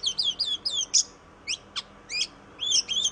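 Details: Oriental magpie-robin, known as kacer in Indonesia: clear whistled phrases of rising-falling notes, a sharp downward sweep, then a pause before further sweet whistled figures.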